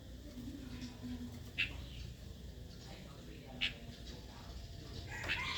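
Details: Female red-whiskered bulbul calling to provoke a wild-caught male to sing and fight; three short, sharp chirps spaced about two seconds apart over a steady low background hum.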